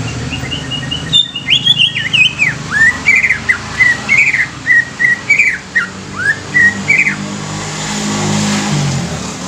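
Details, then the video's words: Young greater green leafbird singing as a lure to stimulate newly caught leafbirds: a run of clear whistled, slurred notes with quick rising and falling inflections, repeated for about six seconds over a steady low hum. "CUCAK IJO MUDA INI COCOK UNTUK PANCINGAN CUCAK IJO BAKALAN"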